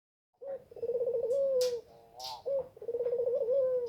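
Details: Spotted dove about to lay eggs, giving a low, husky coo: a short note, then a long rolling, tremulous phrase ending in a drawn-out tone, repeated after a pause. Faint knocks and rustles in between.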